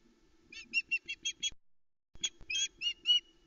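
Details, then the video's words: An intruder at the Loch Arkaig osprey nest, Arkaig Community Forest, 12 July 2020, sets the female alarm calling. Two rapid strings of sharp, high, yelping whistles are heard, six notes then five, separated by a short gap. "the Loch Arkaig Osprey is reacting to an intruder"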